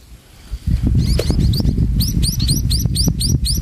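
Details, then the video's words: Munia mother feeding chicks toward evening: quiet at first, then a run of sharp, high rising chirps about every quarter second over low rustling and fluttering noise. "MENJELANG MALAM INDUK BURUNG PIPIT MAKIN GENCAR MENYUSUI ANAK ANAKNYA"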